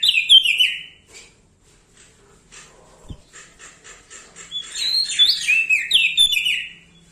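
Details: Bar-winged prinia, a lively singer, with a loud clear high song: bright descending whistled phrases opening, quieter scratchy notes mid-clip, then a fresh burst of rising and falling whistled trills near the end.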